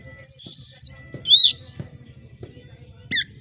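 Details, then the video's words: Oriental magpie-robin (kacer) in sharp competition song meant to stir other birds: a long high whistle, a loud upslurred note, then a short twisting whistle, with soft ticks between. "suara KACER GACOR JERIT TAJAM‼️cocok mendongkrak emosi kacer di gantangan"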